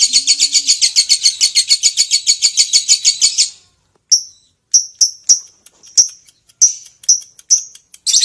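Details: Lovebird's long ngekek trill, the bird singing vigorously: over three seconds of rapid, rasping high chatter, then a pause followed by separate sharp, descending chirps spaced roughly half a second apart.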